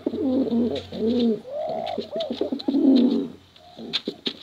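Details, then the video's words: ['Male and female contest pigeons give short deep coos, some arching higher and others dropping low, in several phrases, ending with a quieter stretch of scattered clicks.'] "Suara Bekuran Burung Merpati Lomba Hutan Dara Durasi Panjang"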